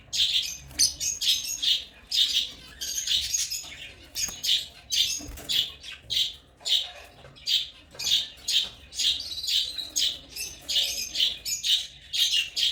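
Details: African lovebirds chirping in a dense, continuous stream of high, squeaky notes, about two bursts a second with short gaps, some harsher squawk-like notes mixed in, no other sounds standing out.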